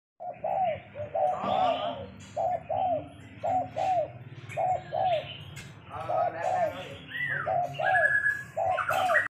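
Spotted dove giving soft, low, hollow coos in short repeated phrases, about one per second, while other small birds chirp and whistle higher above.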